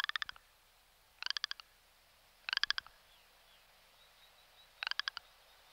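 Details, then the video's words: Rock ptarmigan giving short, dry clicking rattles of a few quick notes each. Four such bursts come roughly every one to two seconds over faint background hiss. "Lagopus mutus / Rock ptarmigan"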